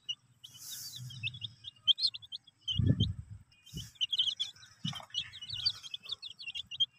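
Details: Colorful desi chicks playing with a tractor peep in rapid, high, bright chirps, many overlapping, with low rumbling and thumping noises underneath.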